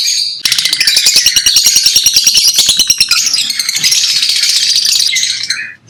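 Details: Lovebirds chattering: a fast rattling series of sharp clicks beneath high shrill twitters, easing into continuous squeaky chirping before falling silent.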